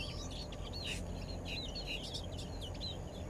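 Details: Baya weavers in paddyfields in Perak, Malaysia, 23 December 2023, give a busy stream of thin, squeaky chirps and wheezy twitters, overlapping almost without pause, over a steady low rumble of wind.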